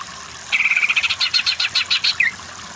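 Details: Masteran of greater green leafbird for under-powered cucak ijo to sing vigorously (kejer); a quick buzzy trill rising into sharper repeated pulses, closing with a falling slurred note.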